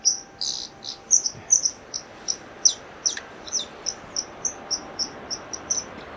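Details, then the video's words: White-throated dipper call, a playback recording of a dipper, gives a run of sharp, high, clipped notes, about three a second and slightly uneven, over a faint rushing hiss. "I'll play a call now so you can hear what a dipper sounds like."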